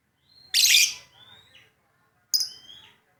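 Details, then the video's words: Lovebird singing eagerly: a loud, harsh buzzy chirp followed by a thin whistled note, then after a pause a second sharper chirp with a short whistle tail. "Love bird gacor"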